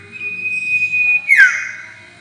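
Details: Sirtu (White-shouldered Triller) trapping lure: a single drawn-out even whistle that turns into a buzzy descending sweep, with a faint low rumble behind.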